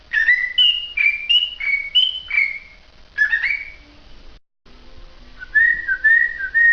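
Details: Cockatiel song of short whistled notes that step up and down in a tune-like run. There is a brief pause, then a softer sequence of level whistles.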